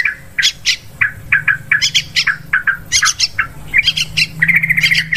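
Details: Sooty-headed bulbul calls used as a hunting lure: quick, harsh chirps and squawks repeated several times a second, some rising, others dropping, over a steady low hum.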